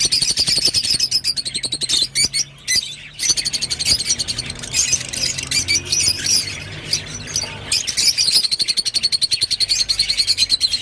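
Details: Rosy-faced lovebird chatter: shrill squeaks and rasping notes run together, ending in a rapid buzzy rattle, with a soft low hum underneath.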